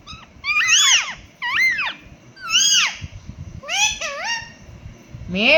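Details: Pet Indian ringneck parakeet imitating a cat indoors: repeated arched, meow-like whining calls rising and falling, about five in a row, with faint background noise.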